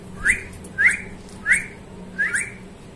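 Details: Talking parrot giving four short whistled notes, each sweeping quickly upward, spaced about half a second apart, over a quiet steady hum.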